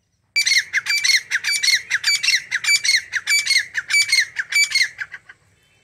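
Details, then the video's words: Grey francolin, known locally as teetar, calling in a rapid series of harsh, squawking notes. About sixteen strident bursts come in quick, slightly uneven succession over five seconds, then stop abruptly. The background is quiet. "Top 15 Different Voices Of Grey Francolin - Teetar Sounds"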